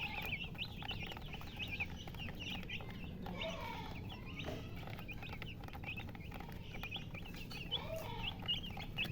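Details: Chicks peeping in a busy chorus of short, high, bending chirps overlapping continuously, with occasional lower hen clucks and steady low hum beneath.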